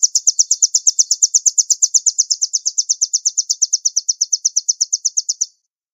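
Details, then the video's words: After its release, a nuthatch delivers one steady, high-pitched trill lasting about five and a half seconds: regular, rapid ticking notes, roughly three per second, ending abruptly, with a quiet background. "Rilis burung rambatan"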